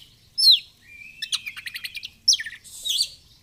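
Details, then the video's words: Oriental magpie-robin singing vigorously in fighter style with feathers flared. A sharp downslurred whistle, a long level note breaking into a fast stuttering trill, then a loud upslur and a buzzy finish. "Kacer gacor fighter//ngobra Joss//terapi untuk Kacer susah bunyi"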